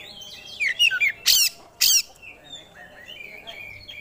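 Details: Oriental magpie-robin, a competition songbird, showing its repertoire: short warbled whistles, then two harsh, buzzy rasping bursts and a thin, fading twitter of whistled notes.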